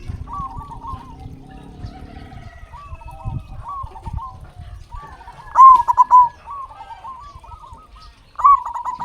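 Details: Zebra dove (local perkutut) cooing as a lure to get captive birds singing; soft repeated coo phrases from other doves, then two loud rapid stuttering bursts near the end, over low background rumble.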